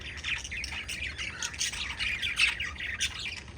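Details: Group of five lovebirds in a dense run of harsh, scratchy squawks and chirps, overlapping and uneven, with a brief louder shriek near the middle.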